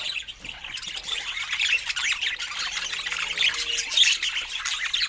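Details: Budgerigars kept as pets chattering at fruit time: continuous high twittering and squeaky warbles, with a faint low hum in the middle.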